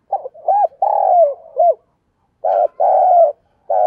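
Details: Caged decoy spotted dove calling to attract wild birds, giving quick clipped coos followed by a drawn-out, falling coo, then a pause and another short-long coo pair with a third short note; no other sounds.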